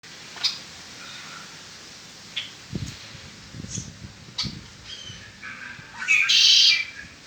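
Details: Red-winged blackbird kept as a pet singing: scattered clicks and a few short mid-pitched notes, then a loud, harsh, buzzy trill near the end lasting under a second.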